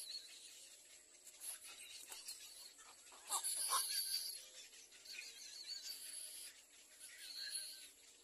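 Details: Young little egrets at the nest pecking hard at their mother: scattered rasping calls that build into a louder, busier burst of grating squeals midway, then ease off, over a constant shrill insect drone.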